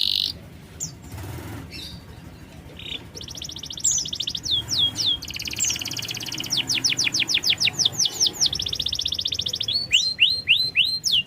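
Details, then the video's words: Lure recording of a canary singing, meant to get a lazy or young bird to respond: a brief buzz, then alternating rapid rolling trills and series of sharp downsweeping whistles, bright and high. "Masteran burung KENARI||Pancingan kenari malas bunyi.KENARI PAUD PASTI RESPON."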